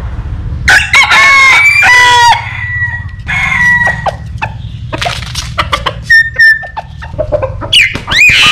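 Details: Rooster crowing in company with a myna that likes to keep company with chickens: one long harmonic crow lasting over a second, rising then held, followed by sharp clicks, whistles and squawks from the myna and a steady low hum.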